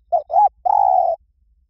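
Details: Spotted dove, 'liu tan' singing style, for luring and training a dove to sing back. A single clean phrase: a brief coo, a swelling arched second coo, then a long level low coo lasting about half a second.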